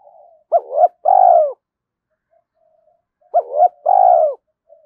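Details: Spotted dove calling at dawn to spur fighting and draw in rivals, giving two phrases about three seconds apart, each two quick rising notes then a drawn-out falling coo, faint low murmurs between.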